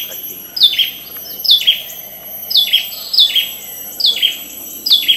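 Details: An Ashy tailorbird with the female's calls: a run of short, high, down-slurred notes, repeated at roughly one-second intervals over faint background noise.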